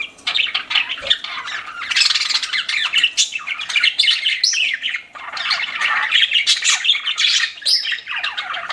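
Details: Pet budgies chattering in a room with continuous buzzy warbling, clicks and shrill squeaks, several birds overlapping, with one short pause midway.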